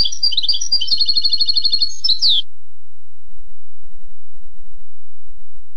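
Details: Young goldfinches' tutoring song from a European goldfinch: busy high twitters flowing into a rattling trill, closed by a sharp rising note, then quiet with a low hum.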